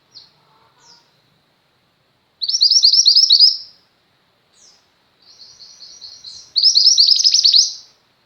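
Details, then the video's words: Chatty female Mountain White-eye, recorded for tutoring pet white-eyes: scattered high chips, then a loud second-long twitter, silence, soft chatter and a second loud burst of rapid sharp notes with a falling tail. "mantenan gunung betina gacor, cocok untuk masteran burung pleci anda."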